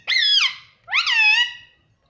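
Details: Pet ringneck parrot talking indoors, saying "mummy" as two loud harmonic syllables, the first bright and falling at the end, the second rising then held and slowly fading.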